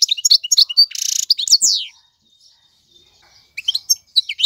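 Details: A male European goldfinch sings, used for tutoring young birds: quick, high, liquid twitters and a brief buzzy burst, then a silent pause before the twittering resumes.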